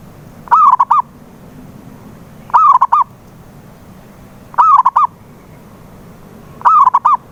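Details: Zebra dove call used as a lure to get a silent dove singing: four identical phrases about every two seconds, each a long rolling coo followed by two or three short clipped coos, over a low steady hum.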